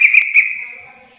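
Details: Yellow-vented bulbul (trucuk receh) calling, answered by others: a brief bubbly burst of three quick notes trailing into a fading whistle.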